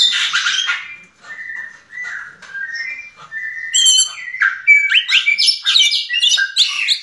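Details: Yellow-legged thrush song opening with a scratchy burst, then soft repeated whistles and a fast, rising series of bright chirps and slurred notes toward the end.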